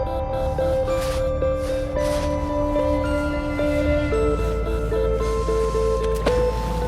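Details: Gentle melodic instrumental music with sustained tones and chimes plays throughout, and no animal voices are heard.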